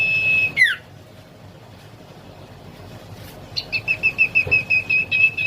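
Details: Young common iora, a prospective strong singer: a clear sustained whistle and a quick downward slur, a pause, then a steady series of short bright whistled notes repeated about twice a second.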